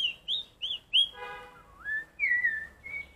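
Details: Black-collared starling training its voice to copy a red-whiskered bulbul, giving short clear whistled notes in a quick series, then a rising slur and a long descending whistle.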